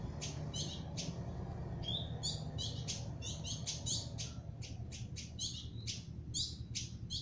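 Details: Canary giving a series of short, sharp chirped notes, repeated roughly every third of a second with small pauses, over a steady low hum.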